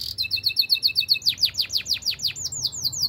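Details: Canary singing in a training session: a quick run of evenly repeated high chips that breaks into longer downslurred notes, each dropping steeply, repeated in a lively rhythm.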